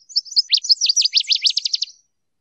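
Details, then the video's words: Northern waterthrush (Parkesia noveboracensis) in nature giving a quick, forceful song: soft high notes at first, then a rapid run of loud, sharply slurred notes lasting about two seconds. "Birds Singing - Northern Waterthrush"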